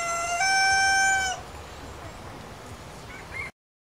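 A rooster's crow, cut off early: one strained, held note stepping slightly higher and lasting about a second, then low background hiss.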